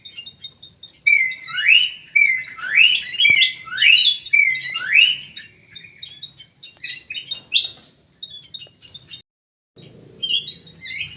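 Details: Munia, the emprit sawah, uttering a run of bright downward-sweeping squeaky chirps roughly once a second, then scattered softer high chirps, a brief break and a low rumble near the end.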